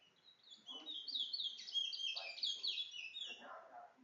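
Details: Towa towa (large-billed seed finch), a Guyanese bird, in bringle song: a fast, rich warble of tumbling high whistled notes running without pause, with low human voices talking underneath.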